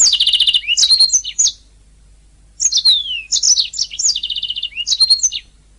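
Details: Canary song intended for training singing canaries: opens with a fast, dense repeated trill, followed by falling whistled sweeps and another rapid trill after a short silence.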